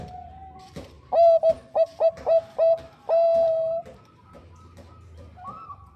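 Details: Bangkok zebra dove, a female calling the male, gives a burst of six quick ringing coos and a long sustained final coo, with faint answering coos afterward.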